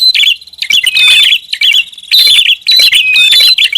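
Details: Prinia lure call, noisy style: rapid bright chirps and twittering notes packed into bursts of about half a second to a second, repeated roughly once per second.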